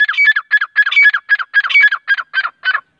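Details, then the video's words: Grey francolin (teeter) calling in quick, clipped bursts, about ten rasping, squealing phrases packed into three seconds, some in doubled pairs, with no other sounds. "Teeter voice Grey francolin voice Teeter partridge Teeter sound Teeter ki Kasai Teeter ki awaj"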